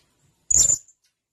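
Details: ['Blue-crowned hanging parrot giving one sharp, piercing, very high-pitched note lasting about a quarter second, with silence around it.']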